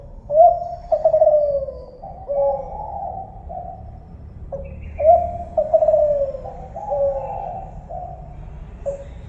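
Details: Tekukur Kelantan, the spotted dove, sings soft hollow coos in two full phrases, each opening with a brief note and ending in drawn-out descending tones, against steady low rumble.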